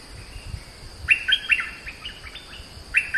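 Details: Oriental magpie-robin song: after a quiet second, a lively string of loud whistled and slurred notes, a short pause, then a fresh phrase at the very end, with soft low rumble behind.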